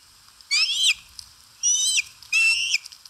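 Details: Osprey at a live-camera nest in Satakunta, Finland, on 4 August 2022, eating at the nest; three loud whistled calls, each a rising then falling note with bright overtones, spaced about a second apart.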